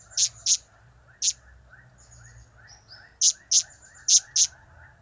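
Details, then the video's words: Blue-crowned hanging parrot in a trio of cap-cap, kiak-kiak and crap-crap calls: very high, sharp ticking notes, a pair, a single, then two quick pairs, over a faint low hum. "Trio Cap²/Kiak²/Crap² Semakin Gacor"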